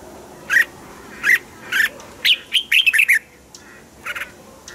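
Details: Red-whiskered bulbul in a cage, song used to excite other caged birds: three spaced chirps lead into a rapid, bubbling string of bright notes, then a softer final note over background hiss.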